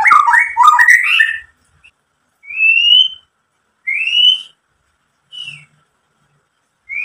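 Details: White-rumped shama lure song meant to provoke other shamas: an opening burst of rich warbling followed by single clear rising whistles spaced about one to one and a half seconds apart.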